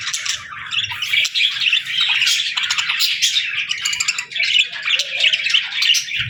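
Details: Morning parakeet chirping and singing, loud and continuous: overlapping scratchy warbles, squeaks and sharp chirps from several birds with almost no pause, a low thud at the very end.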